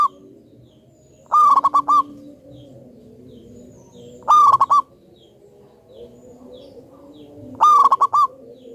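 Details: Local natural-strain zebra dove, kept as a loud, eager singer for luring: three rolling phrases of quick staccato coos with a ringing end note, roughly every three seconds, over a steady background hum and faint murmuring.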